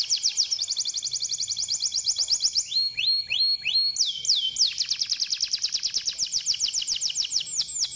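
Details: Canary song meant to stimulate other canaries to sing: fast trilled tours of repeated notes high in pitch, shifting to slower downslurred whistles and back to rapid rolling trills.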